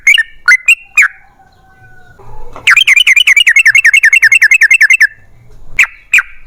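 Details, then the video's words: Yellow-vented bulbul song used as a lure for other bulbuls. A few sharp bubbly notes lead into a long, even trill of about twenty quick, wavering notes lasting two seconds. Single notes close the passage. "TRUCUKAN GACOR Ropel Panjang"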